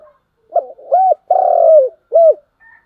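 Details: Morning call of a spotted dove: a clean phrase of soft low coos: a brief lead note, a rounded hoot, a long vibrating coo that falls in pitch, and a closing rounded hoot. Nothing else is audible.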